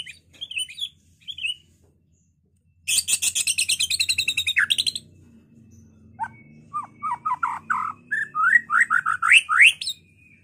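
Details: White-rumped shama in full song, meant to provoke other birds to fight and sing: short whistled phrases, then a dense, loud rapid rattle of high notes, then a string of sharp upward-sweeping whistles.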